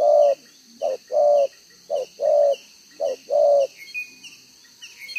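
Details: Spotted dove of the 'đồng gáy 1 hậu' cooing style, two-row spotted neck collar, recorded 11 June 2023; soft hollow coos, each short note followed by a longer drawn one, three paired phrases, then faint thin twitters.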